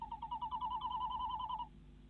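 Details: Female tawny owl in a nest box in the Netherlands, calling at night on 25 February 2016 as the male arrives with a mouse; a rapid series of wavering, slightly rising notes lasting about 1.7 seconds.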